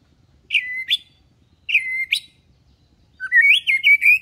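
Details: A white-rumped shama lure for juveniles learning to sing, deliberately set low-key: three rich, clear whistled phrases about a second apart, the first two flicking upward, the last a longer warbling run; quiet background.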